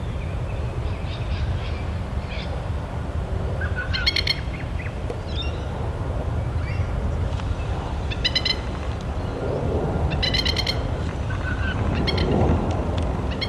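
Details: A Masked Lapwing parent guarding three chicks with its mate in a park in NSW, Australia, recorded from about 40 m, gives harsh, strident warning bursts of rapid notes several seconds apart, over steady wind rumble with faint smaller chirps.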